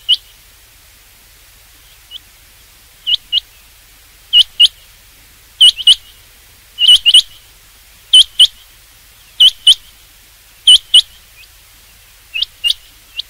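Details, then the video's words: Rain quail call used for hunting: bright high chirped notes mostly in pairs, repeated steadily roughly every 1.2 seconds over a quiet background. "rain quail sound for hunting چنگاکی آواز شکار کیلئے"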